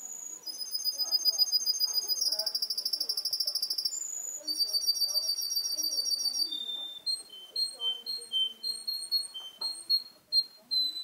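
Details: Young male canary, seven months old, in Garni, Armenia, singing rapid high trills of fast repeated notes in changing tours, then slower separate whistled notes, with faint voices in the room behind.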